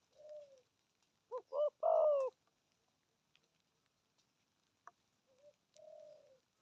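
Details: Spotted dove cooing in the 'thổ âm' style: a soft, falling coo, then a louder warbled double note and a drawn-out coo, followed by faint scattered coos and a soft falling note at the close.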